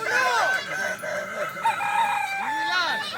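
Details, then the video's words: Crowing contest of Kukuak balenggek chickens at Sirukam dairy farm in Solok regency: several roosters crow at once, long level and bending notes layered over each other, with a rising crow near the end and faint talk. "Lomba ayam kukuak balenggek di sirukam dairy farm kab solok"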